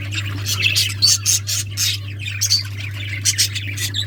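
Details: Breeding budgies chirp and squawk in short bursts roughly every half second, rasping notes with a few brief whistled squeaks, a constant low electrical hum beneath.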